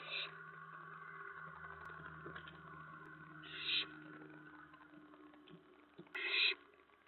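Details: During a nighttime food delivery to owlets on 10 September 2017, with mice brought to the nest around 2 AM, three short raspy hissing bursts sound at irregular intervals over a low steady hum.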